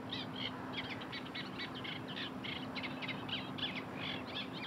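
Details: Eurasian tree sparrows giving a dense run of short, overlapping chirps and chips that continue without pause, suggesting several birds calling together, over a steady low hum.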